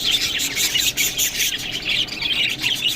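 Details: Budgerigars eating green food, giving a busy stream of high, scratchy chirps and squawks overlapping without pause.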